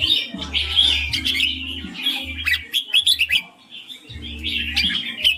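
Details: Chattering, high warbled phrases from a red-whiskered bulbul singing 'ring', sung in dense bursts broken by a brief lull. A steady low hum comes and goes.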